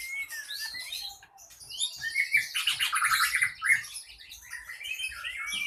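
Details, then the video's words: Enraged short-tailed ekor pendek singing to provoke rival birds into fighting, as contest training: rising whistles open, then a fast rattling trill of rapid buzzy notes, followed by varied chirps and upward-sliding whistled phrases. "Ekor pendek ngamuk,dalam hitungan detik burung anda pasti ikut tarung"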